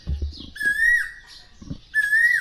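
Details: An Asian koel calls in a Rakhine village near Kuakata, Bangladesh, giving two clear, drawn-out whistled notes about a second apart, each holding steady then dipping at the end, with brief bits of nearby talk.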